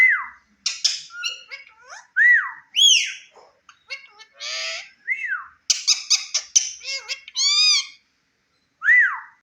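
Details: Indian ringneck parrot, a talking pet, giving a jumble of arched whistled squawks, harsh chatter and short voice-like phrases, with loud rising-and-falling whistles at the start and end.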